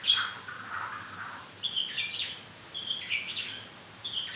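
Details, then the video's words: A white-rumped shama shedding its feathers produces soft slurred whistles and thin high notes with scratchy buzzy elements, fairly quiet and spaced phrases. "murai baru rontok bulu"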